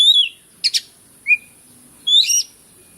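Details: Oriental magpie-robin of the kacer bukor type in a real lure recording: a whistled warble, a double harsh rasp, a quick rising whistle, then a buzzy warbled phrase over a steady high whine.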